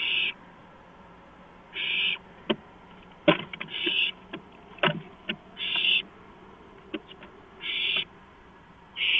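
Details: At 2:05 AM on April 5, 2015, an owl on a porch makes breathy, noisy hiss bursts every one to two seconds, with scattered clicks and knocks between them.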